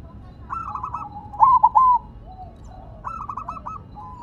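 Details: Silver perkutut zebra dove singing on the ground: a soft trilled lead-in, a loud three-note cooing phrase, then another rolling trill from a nearby dove.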